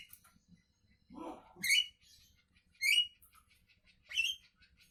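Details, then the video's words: Javan myna singing in the morning, a low grating rasp followed by three loud, harsh, rising squawks spaced roughly a second apart. "Burung jalak kebo pagi Hari"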